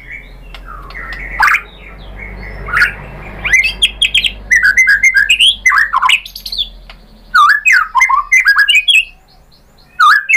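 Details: White-rumped shama singing as a lure to draw other birds into song; scattered sharp calls over a low hum, then bursts of varied whistled and buzzy phrases separated by short silences.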